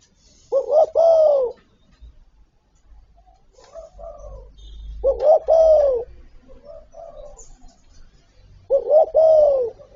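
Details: Spotted dove giving its full calling and cooing repertoire: three deep, hollow coo phrases about four seconds apart, each a short double note then a long falling coo, with softer murmured coos between and a low rumble.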